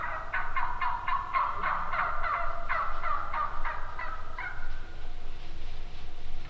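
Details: Wild turkeys giving a rapid series of short, repeated yelps for about four seconds, followed by a brief drawn note and quieter background.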